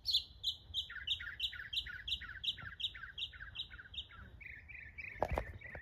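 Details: Mockingbird delivering a rapid run of paired chirps, each pair stepping down in pitch, repeated about three times a second, then lower rasping notes, ending with a brief knock.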